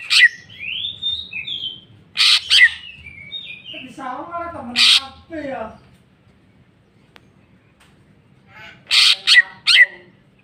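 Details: Greater green leafbird singing jamtrok style with repertoire phrases: swooping whistles and harsh bursts, a lower chattering warble, a quiet pause, then a cluster of three sharp harsh calls.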